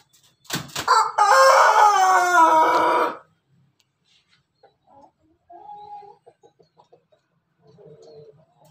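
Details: Pelung Bangkok rooster giving a laughing-style crow: a sudden loud start, then a long, rich, harmonic cry of nearly three seconds that stays steady and ends abruptly. Soft clucks and short faint calls follow in the quiet.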